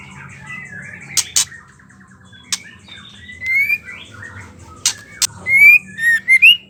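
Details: Ketrekan of a female white-rumped shama, meant to provoke males to sing: scattered harsh rasping bursts, then rising clear whistles and a final run of loud whistled notes.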